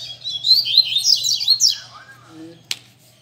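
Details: Captive coleiro (rusty-collared seedeater) at a Sunday-morning group session meant to fire up other birds: rushed high twittering phrases with descending slurs for nearly two seconds, a soft low voice and a sharp click afterwards.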